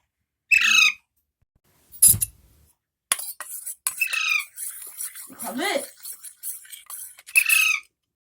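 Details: A hungry baby Alexandrine parakeet, a pet, bobs its head and gives harsh, rasping begging squawks spaced a few seconds apart around feeding time, while a woman talks between the calls.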